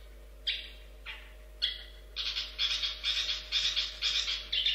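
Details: Long-tailed shrike (pentet) song described as 'gacor': three separate harsh squawking notes at about one-second gaps, then a faster series of loud, rasping, buzzy bursts about twice a second.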